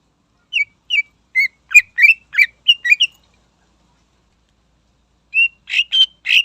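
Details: Greater green leafbird (cucak ijo) singing to provoke rival birds: a series of short sliding whistled chirps, about three per second, then a silence and a second burst of buzzier, richer notes.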